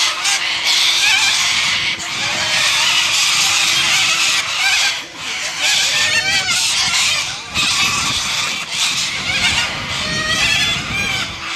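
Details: A noisy group of Australian white cockatoos screeching almost without pause, harsh grating calls overlapping one another, with a steady low hum beneath.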